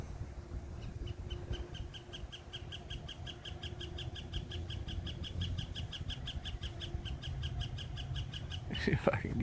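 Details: A woodpecker drums on a metal lamppost: a long, even roll of ringing taps, several per second, over low rumbling background noise, ending in a clatter.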